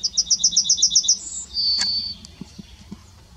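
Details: Yellowhammer singing at Kotthausen, Wuppertal-Beyenburg, Germany, on 23 July 2021: a fast run of about eight thin, high repeated notes, then a brief higher note and a drawn-out lower final note, with faint clicks afterwards.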